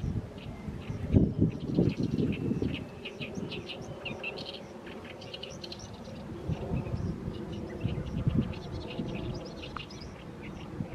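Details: Oriental reed warbler in a fallow rice field in mid-May, singing as the evening sun sets: rapid, scratchy chattering notes repeated almost without pause, fairly distant, with low rumbling and a brief thump near the start.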